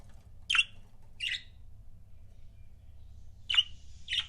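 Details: Pet budgerigars in pairs give four short squawky chirps, two early and two near the end, separated by quiet with only a low hum.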